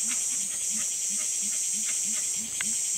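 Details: Grey-winged Trumpeter (Psophia crepitans) at Tiputini Biodiversity Station in the Ecuadorian Amazon gives soft, low hooting notes about three times a second, beneath a loud, steady insect hiss and a few faint higher bird notes.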